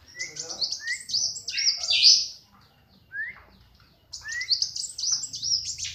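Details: A tame brown-throated sunbird (Anthreptes malacensis), hand-raised from young, sings quick bursts of thin, high twittering notes with a few lower upslurred whistles, pausing briefly between phrases.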